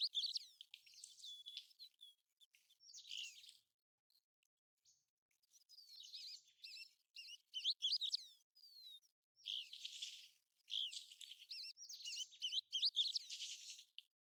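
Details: American golden plover (Pluvialis dominica), calling around the migration and breeding seasons: a busy run of high, thin whistled slurs and short notes in bursts with brief pauses, several overlapping at times, clean background.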